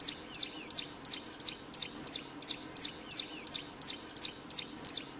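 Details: Plain prinia singing vigorously in the wild, pouring out a fast, even series of high, sharp tlee-like notes, about three every second, with a softer second bird faintly audible underneath.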